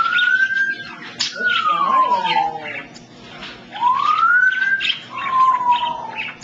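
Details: A pet African grey parrot whistles a string of pure, siren-like tones that rise and fall, one long falling slide, one rising arc and one steady level note, with faint chatter between them.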